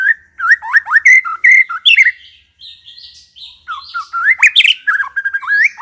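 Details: Continuous, rich White-rumped shama song meant to make other shamas respond and sing: fluid looping whistles, higher buzzy notes in the middle, then more rapid varied whistled phrases.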